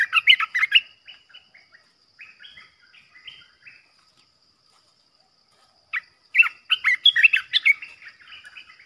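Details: Olive-winged Bulbul kept as a trapping decoy: two loud bouts of rich, gurgling, chattering notes separated by softer scattered chirps and a short silence.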